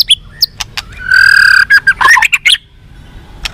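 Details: Captive-training fighter song of a white-rumped shama: a few sharp ticks, a sustained buzzy rasping note, then tumbling whistled and warbled fragments ending in isolated clicks.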